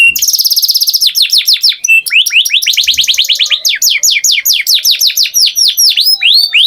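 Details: Canary song: a rapid high trill followed by a long, quick series of descending slurred whistles.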